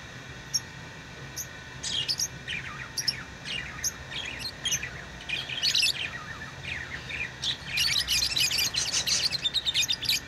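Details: Pet lovebirds chatter in fast, high-pitched chirps, roughly three a second, building into a dense twittering flurry toward the end, over a low hum.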